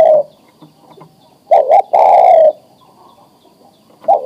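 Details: Male spotted dove, adult and ready to breed, calling to a female to mate; a short burst of coos near the start, then a pair of quick coos and one longer falling coo, with a brief coo at the end.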